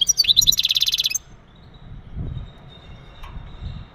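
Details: Male European goldfinch's mating calls used to stimulate the female for breeding: a few high twitters leading into a fast, even buzzy trill lasting about half a second, followed by quiet low rumbling.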